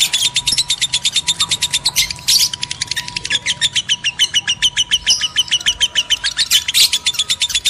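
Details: Steady rapid chirping of lovebirds used to spur breeding in males and females, sharp high notes repeated many times a second with occasional louder squeaky bursts.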